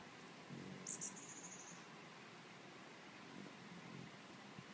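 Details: A Costa's hummingbird, believed by the owner to be a young male, guards a feeder near a pool from a tomato cage perch and gives one very high, thin whistle: two quick sharp notes, then a drawn-out whine under a second, over a soft hiss.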